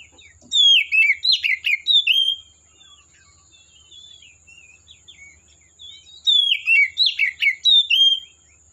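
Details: Wild Oriental magpie-robin in forest, singing two loud bursts of quick, varied whistles and slurred chattering notes, separated by softer rambling warbles, with a constant thin high-pitched hiss behind.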